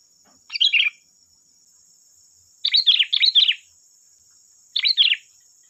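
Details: Sooty-headed bulbul singing as bait to make other bulbuls respond: a single bubbly phrase, then a rapid double burst, then another short phrase, all over a steady high whine.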